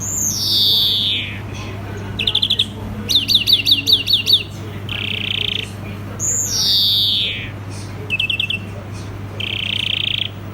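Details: European greenfinch alternating long falling nasal wheezes with short rattling trills and a quick series of sharply downslurred notes, the wheeze-and-trill pattern heard twice, steady hum beneath.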